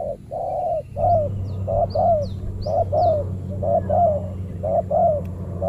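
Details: Spotted doves in a banana plantation, a fierce resident bird challenged by a trained decoy during trapping; steady loud coos with slightly falling notes, about one per second, a few higher chirps from other birds and a low hum behind.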